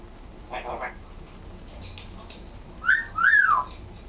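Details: Male African grey parrot kept as a pet, practising words and sentences: soft speech-like mumbling first, then two loud sliding whistles, the second rising and falling like a wolf whistle.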